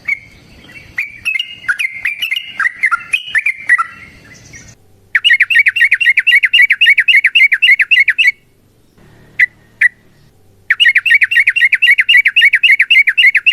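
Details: Yellow-vented bulbul in long fighting song, used as a dawn master song: slurred whistles give way to fast bursts of harsh, evenly spaced chattering notes, several per second, broken by a short pause.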